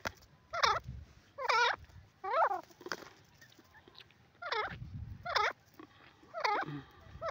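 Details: Grey francolin giving a series of ringing, hoarse, harmonic notes, roughly one per second in two bursts, over steady low rumbling background noise.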